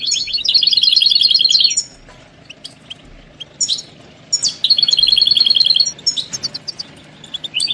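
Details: European goldfinch mating calls played to stimulate caged males; fast even trains of bell-like tinkling notes, about three per second-long run, in two bursts separated by near silence, scattered chips between.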